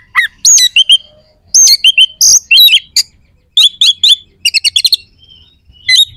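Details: Competition oriental magpie-robin belting out a song of rough, sharp fills meant to rile rival birds before contests; quick high chips, whistled rising and falling phrases and rattling clusters come in rapid bursts, clean background.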